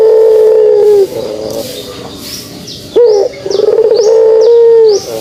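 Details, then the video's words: Pelung dove (puter pelung) giving its kugeruk call: long sustained low coos, each held about a second, with a short rising note starting the second phrase and faint higher chirps from other birds above. "suara kugeruk burung puter pelung"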